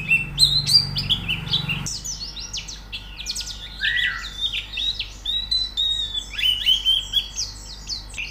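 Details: White-eye song used as training audio to make a bird sing: dense, high, rapid chattering twitter of short slurred notes. A low hum at the start stops abruptly after about two seconds, and the twittering continues throughout.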